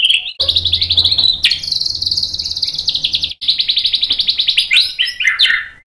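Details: White-rumped shama song used as a training recording meant to provoke a reply: long buzzy, rapidly pulsed trills running high and steady, broken by two brief pauses, ending in quick varied rising phrases over a faint low hum.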